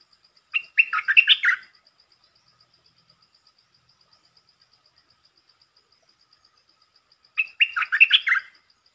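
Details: Red-whiskered bulbul singing a short, fast-opening song phrase in the 'dok taeng' style. Two bursts of varied warbled and whistled notes are about seven seconds apart, with silence between and a faint steady high ticking throughout.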